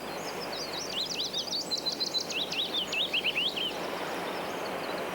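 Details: A willow warbler in British countryside gives its burst of song: a sweet, liquid phrase of high notes tumbling gently down the scale over about three seconds, against a steady background hiss.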